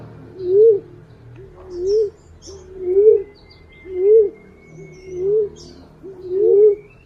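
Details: Green pigeon call recorded for use as a lure: six mellow, wavering whistles, each gliding up and falling back, repeated roughly every 1.2 seconds, with faint chirps of other birds behind.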